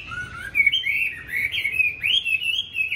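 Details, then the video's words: Rich, rapid warbling from a caged Chinese hwamei in Hanoi, Vietnam, noted as tame and a fine fighter: high whistled notes run together, with a sharp upward slur halfway through. "Mi đẹp thuần đấu tốt"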